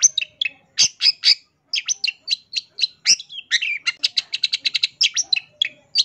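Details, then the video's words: Long-tailed shrike giving a full, lively song rich in varied phrases, a master recording for training songbirds: sharp high chips and whistles, then a fast even trill of clipped notes, then more scattered chirps. "MASTERAN CENDET GACOR FULL ISIAN 100% BIKIN CENDET BAHAN CEPAT IKUTAN BUNYI"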